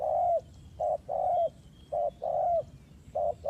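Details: Spotted dove serving as a trapping lure, giving loud, flat, steady coos: brief notes each followed by a longer level croo, three pairs, with soft high chirps and low rumble behind.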